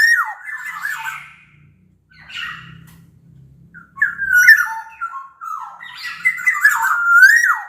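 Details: Sumbawa black-naped oriole, a big-bodied bird, pouring out varied whistles: falling slurs, flat sustained notes and a final upward sweep, with a soft low rumble in the background.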